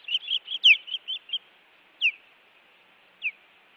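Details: Osprey at its Montana nest on 16 June 2017, evening, reacting to intruders: a quick burst of high whistled chirps and one sharp down-slurred note, then single piercing down-slurred cries spaced more than a second apart.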